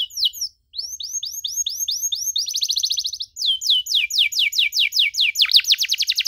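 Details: Canary in full 'cengkok mewah' song for teaching young birds: quick descending whistles, a short gap, a dense buzzing trill, then accelerating series of steep downward-sweeping notes.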